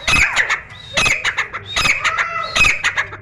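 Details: Grey francolin (Dakhni teetar) calling in a room: loud, grating multi-note phrases roughly every 0.8 seconds, each a quick stuttering burst of harsh ringing notes.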